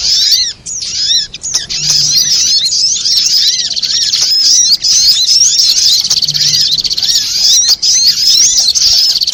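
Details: Spiderhunter (sogok ontong) calling in a trapping lure: after a few separate arched notes, a long unbroken stream of high, sharp twittering with rolling slurred notes repeated underneath.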